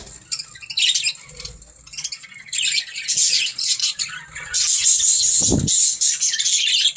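Budgerigars chatter with dense, scratchy high-pitched warbles and squawks.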